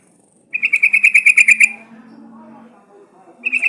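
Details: Sooty-headed bulbul sound played as a lure to get birds singing: one burst of about ten fast, evenly spaced bright notes, then a soft low hum, and a new burst starting at the end.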